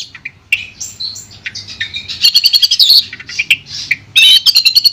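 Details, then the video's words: Long-tailed shrike singing, played as therapy for a shrike that no longer sings: soft varied whistles and squeaks building into loud rattling chatter with thin wavering high notes, light background hum. "Terapi Suara Untuk Cendet Macet"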